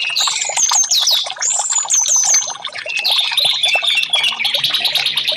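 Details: Orange-headed thrush song played as therapy for caged birds that will not sing: clear descending whistled phrases repeated in the first half, followed by a dense, buzzy stream of rapid high notes.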